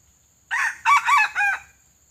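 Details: One full crow, loud and close, from a red junglefowl decoy of the pale, white-legged type, used to lure wild birds for trapping: four distinct harmonic segments, the last dropping away, in quiet surroundings.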